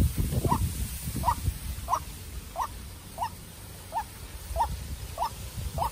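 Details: Young decoy white-breasted waterhen in a contest with a wild bird. About nine short, fainter notes repeat evenly, roughly every 0.65 seconds, with strong low rumbling and handling noise at the start.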